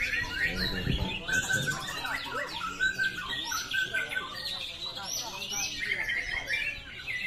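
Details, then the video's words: A white-rumped shama (murai batu) sings quick, bright whistled phrases mixed with sharp chips and short trills, with a voice at the start and faint background chatter. "MURAI SUARA TAJAM KYAK PETIR"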